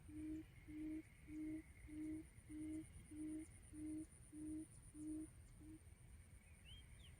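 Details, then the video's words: Lure call of a quail, played to trap quail: even, low hoots repeated roughly every half second, ten in a row before stopping, over a faint background hiss and a brief higher chirp at the close. "Tiếng chim cút mồi"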